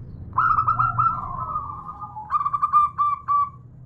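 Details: Local female zebra dove calling to a male, giving soft tremulous cooing notes that run into a long level purring phrase, followed by a series of short stuttered coos, with a low background hum.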